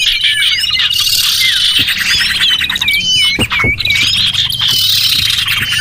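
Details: Small birds chirp and twitter densely on a lure recording used to attract them, with looping whistled notes in the middle and a few sharp knocks underneath.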